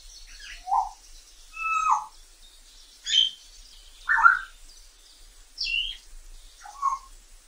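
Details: Wild African grey parrot whistling sounds: varied short whistles and squawky notes, some sliding down, others rising, given roughly once a second with brief pauses between.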